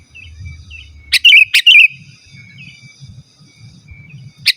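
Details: Sooty-headed bulbul (kutilang) singing energetically, recorded as a lure for calling wild birds and as a tutor for caged birds: a few short bright chirped phrases, two close together mid-way and one at the end, over a faint low rumble.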